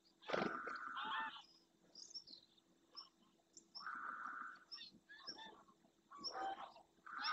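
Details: Greylag geese in a large wintering flock fly in over the marsh of Doñana National Park, Spain, at first light, returning to a lagoon to land. Loud honks come in separated bursts, some with quick higher yelps mixed in.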